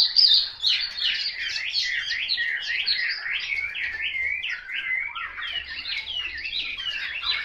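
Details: Rapid, continuous song of a Chinese hwamei: dense runs of quick rising and falling whistled slurs, loud and unbroken for the whole stretch.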